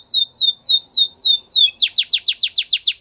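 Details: Canary singing for training, with six smooth descending whistled sweeps followed by a quicker run of harsher, broader notes repeated about four per second.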